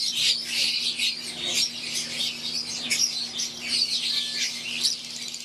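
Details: In an aviary, green wild-type Fischer's lovebirds chirp with Euwing lovebirds in a thick, unbroken wash of high twitters and squeaks. The level stays steady throughout, over a low background hum.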